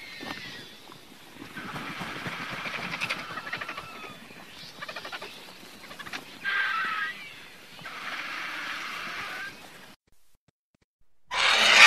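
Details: Griffon vulture (Gyps fulvus): long, rough, hissing and rasping chatter in uneven bursts, a louder harsh stretch midway, a short break, then a loud hiss to finish.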